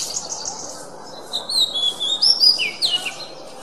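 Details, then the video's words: Training recording of an oriental magpie-robin singing for songbirds to learn: a soft buzzy start, then sweet whistled phrases with sharp up-and-down slurs and a falling note. "Masteran Suara Kacer"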